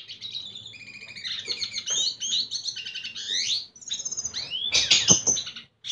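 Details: Red siskin male singing to court a female: a rapid, varied stream of high twittering notes, trills and slurred whistles, with a brief pause before a louder buzzy ending.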